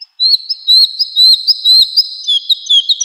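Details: Woodlark song used as a training recording for cage and contest birds: clear, sweet, high whistled notes, short slurred rising and falling phrases repeated about twice a second in a steady run, with no other sounds.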